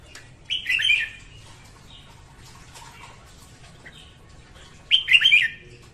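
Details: Morning song of a female red-whiskered bulbul, used as a training and trapping lure; two loud, rich warbled bursts about four seconds apart, with faint scattered notes between them.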